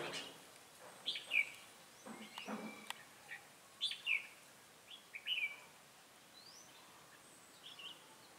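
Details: Red-whiskered bulbul decoy in Bình Phước, Vietnam, 25 June 2018, sings short, bubbly phrases of descending whistles every second or two during trapping, over a soft outdoor background.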